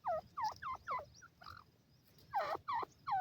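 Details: Young grey francolin chicks, known locally as teetar, feeding with the female: rapid, clear, down-slurred peeping notes in quick runs, a short pause, then more loud cheeps.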